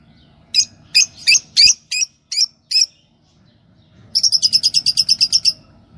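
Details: A pair of yellow Fischer's lovebirds, singing and chirping: a burst of seven sharp, high chirps spaced irregularly, a brief pause, then a rapid even run of about thirteen bright, buzzy notes, over a low background hum.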